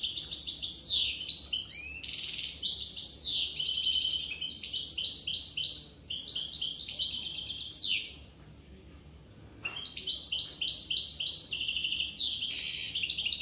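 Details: Long, bright twittering song of a Corsican goldfinch, made of rapid liquid tinkles and buzzy trills in sustained bursts. There is a short pause midway before the song resumes.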